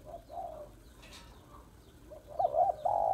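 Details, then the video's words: Female spotted dove in 'hạp bổi' voice calling to stir males. Faint hoarse coos at the start, a brief pause, then a strong wavering coo followed by a sustained level note at the end. "Tiếng Cu Gáy Giọng Hạp BổI ĐỦ BÀI [ GÁY GỌI,THÚC,GÙ ]Kích Bổi Nhanh Nổi"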